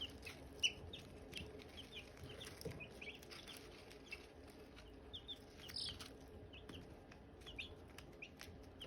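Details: Silkie chicks around hatching eggs keep up irregular high chirps, short falling and rising notes spaced unevenly, with faint rustling underneath.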